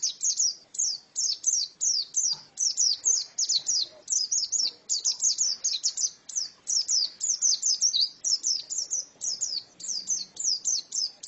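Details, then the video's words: Female white-eye singing: a continuous run of high, thin chirped notes, each a quick falling-rising twitter, packed several per second with short pauses between bursts; faint low murmurs behind. "Pleci betina sangat bagus suaranya"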